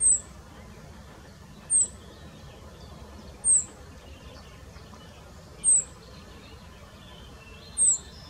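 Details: A male rock bunting carrying a grasshopper in the Moselle valley near Valwig gives five very high, thin, downslurred 'zip' calls, one roughly every two seconds, over a low steady rumble.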